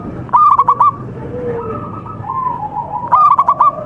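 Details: Local contest zebra dove: a brief stutter of fast cooing notes, a gap filled by soft wavering lower coos, then a second quick burst.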